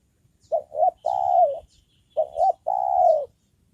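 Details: Trained decoy spotted dove used for luring wild birds gives two cooing phrases. Each is two brief notes followed by a long, mellow, level coo that drops at its close. Faint high chirps come from other birds.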